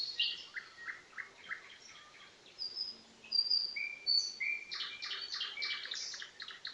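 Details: Common nightingale singing in a rich chorus of song: short repeated chirps, several thin sustained whistles at different pitches, then dense clusters of rapid notes, with other birdsong overlapping throughout.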